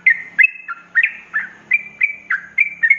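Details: Short ropelan passage from a sooty-headed bulbul used to train cage birds: crisp whistled notes with falling slurs about three per second, some drawn into brief level whistles, over a faint low hum.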